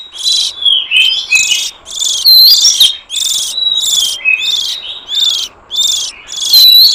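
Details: Oriental magpie-robin lure recording for wild birds: continuous alternation of buzzy rasping bursts and clear slurred whistles, about two elements per second, with no other sounds.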